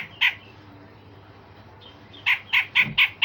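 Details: Grey-cheeked bulbul sharp 'tembakan tajam' notes, recorded to train other songbirds: one isolated harsh note, then a quick series of five rasping bursts.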